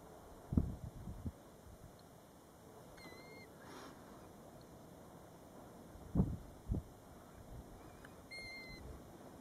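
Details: Golden plover near its roadside nest at Batsfjord, recorded from a car: two thin whistled notes about five seconds apart, partly masked by louder low thumps and handling bumps.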